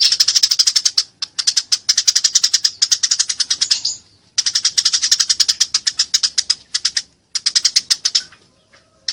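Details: Eurasian tree sparrow during a fight: sustained rapid chirping in high, harsh notes, delivered in long runs broken by a few short pauses.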